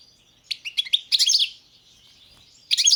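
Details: Balkan goldfinch singing for the 2022 World Championship in Goldfinch Song: a string of separate high chirps building into a dense twittering phrase, a quiet gap, then the start of a further bright twitter.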